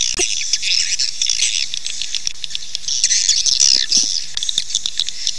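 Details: Swiftlet calls meant to attract the birds to build nests: busy, high, chattering twitters with scattered sharp clicks, fairly irregular in rhythm.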